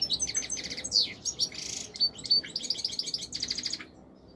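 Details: Royal goldfinch in Morocco singing a dense, rapid twittering song of high tinkling and buzzy notes, running almost continuously before stopping near the end.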